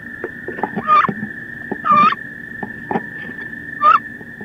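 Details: Two female wood ducks fight fiercely inside a wood duck nest box on 16 May, giving three harsh, squealing calls about a second apart, each briefly rising, over a steady electronic whine, with scuffling and knocking between.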